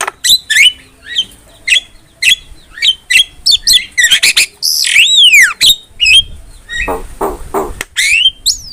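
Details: Javan myna (jalak kebo), a kept songbird, singing quick chattering whistles and squawks, a long falling whistled sweep, and a noisy rasping stretch before a final rising note.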